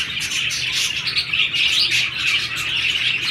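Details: Budgerigar pairs mating in the breeding season chatter in a steady, fast warble of high chirps and squeaky notes, unbroken throughout, over a faint low hum.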